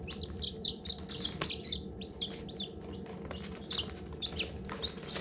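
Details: Newly hatching baby chickens peep constantly: bright, high, downward-arched chirps in quick runs, several birds calling at once, with occasional soft taps and a low background hum.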